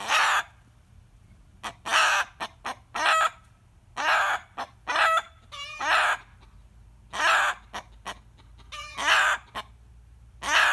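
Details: Rooster reacting to a hen's cackle as he usually does, screaming: a long run of harsh, hoarse cries of about half a second, loosely spaced, with brief sharp notes in between, in a quiet setting.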